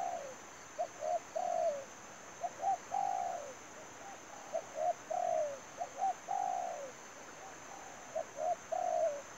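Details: Trapping decoy spotted dove calls over and over: short paired notes, each followed by a longer, slightly descending coo. About five phrases in nine seconds, against a steady faint high hum.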